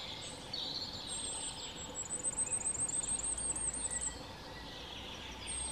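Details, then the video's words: Firecrest (Regulus ignicapilla) singing in Czechia: a very high, thin run of rapidly repeated notes that accelerates and rises in a continuous trill for about two seconds, with faint background hiss. "Králíček ohnivý (Regulus ignicapilla)"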